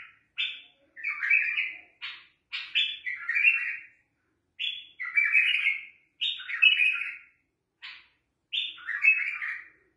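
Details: A bulbul gives rich, gurgling song phrases. Each phrase opens with a sharp note and runs into a warbled flourish. Phrases come in bursts separated by pauses of about a second.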